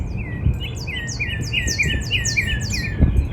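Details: Northern cardinal in a backyard in spring, a series of downslurred whistled notes repeated several times a second, accompanied by high descending notes of other birds and light background noise.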